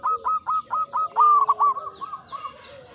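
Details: Local zebra dove singing freely in ngepat Mataram style: evenly spaced, pulsing coos that quicken into a tight roll, then fade into softer trailing notes, with a quiet lower tone underneath.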